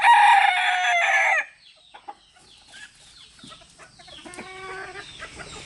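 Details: Rooster, one of three roosters with their hens crowing one after another as communication between them; a loud harmonic crow for about a second and a half, then quiet clucking and a fainter distant crow.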